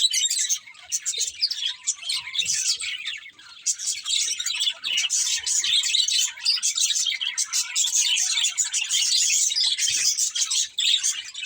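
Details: Budgerigars in a group chirping nonstop, a dense high chatter of overlapping tweets and warbles with brief pauses near the fourth second.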